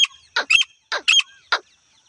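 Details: A female grey francolin call of the kind used in hunting. It gives short raspy, squawking notes in an uneven series of about five bursts, some doubled, within two seconds.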